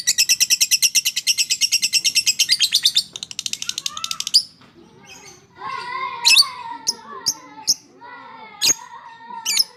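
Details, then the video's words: Fighter-type lovebird in long chattering song, played to stimulate lovebirds that are slow to sing: about three seconds of fast, even, high chatter, then scattered sharp squeaks and upslurred chirps over a low rustling background. "Suara Burung LOVEBIRD FIGHTER Ngekek Panjang, Terapy PERANGSANG Lovebird MALAS BUNYI"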